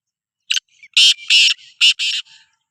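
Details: Sindhi kala teetar, the black francolin, gives a loud grating phrase: a brief opening note, then four harsh, buzzy, clipped syllables in a jerky rhythm over about a second and a half, with quiet surroundings.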